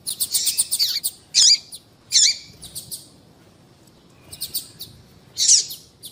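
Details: Female yellow-bellied seedeater call meant to draw males into singing: a quick cluster of sharp high chirps, then isolated bright notes with short trailing trills separated by pauses of about a second.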